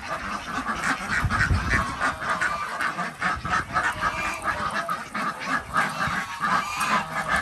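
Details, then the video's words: Desi ducks on a village farm in Andhra Pradesh, India, calling during morning egg collection; dense overlapping nasal quacks and honking from many birds, continuous throughout. "Collectig Duck Eggs Day 92 | Duck Egg | Desi Duck"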